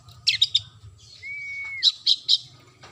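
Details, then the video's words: Oriental magpie-robin singing actively: clear, clipped whistled notes in short groups, with one long, steady whistle that drops away at its end, over a constant low hum. "burung kacer gacorr"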